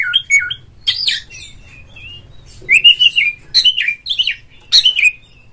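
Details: Oriental magpie-robin song played as a lure to stir a kept bird into full song and tail-fanning: sweet slurred whistles and chips in short groups, repeated after brief pauses.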